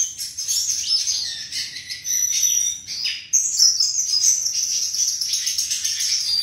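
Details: A flycatcher, called sikatan locally, singing a sweet, melodious song: bright high whistled phrases with quick trills and slurred notes, nearly continuous, with a brief pause near the middle and a faint low background hum.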